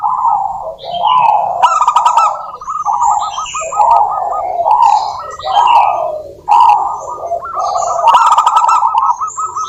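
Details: Local zebra dove song used as a lure to get doves singing: rolling, rapidly pulsed coos in repeated bursts, overlapped by high chirping and twittering from other birds throughout.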